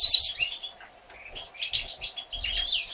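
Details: Begging of three European goldfinch nestlings one day old, fed by the mother after hatching on 1 April 2017: a continuous tangle of thin, high squeaky chirps, loudest at the very start, with faint low bumps and rustles beneath.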